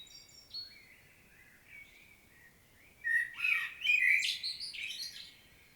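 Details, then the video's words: Solo of a common blackbird in Świnoujście, Poland, 25 September 2022: soft mellow warbling notes build into a loud, rich fluted phrase ending in high scratchy twitters, with faint background birdsong. "Blackbird's solo"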